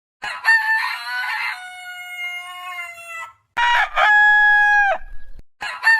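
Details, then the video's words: Long rooster crow: a raspy start, then a smooth ringing note sustained for about two seconds before fading. A second crow follows with two rough bursts and a held note ending abruptly. "Suara Ayam Berkokok Panjang Ayam Jantan Berkokok Rooster Crowing Rooster Sound"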